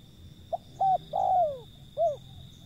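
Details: A wild zebra dove calls with a soft pip, a flat short note and a long gliding coo falling steadily in pitch, then one separate arched note. A steady high whine plays in the background.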